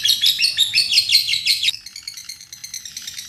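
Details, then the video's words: Lovebird chattering song recorded as a master for tutoring young birds: loud, rapid, harsh squeaky notes for under two seconds, then fading to softer trailing chatter. "kicau mantap#kekek love bird# maeteran love bird gila# love bird juara"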